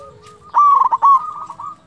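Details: Zebra dove of local stock in gacor voice, used to provoke other doves: a brief loud run of trilled, bubbling coos followed by a steady, level cooing note, with light low background rumble.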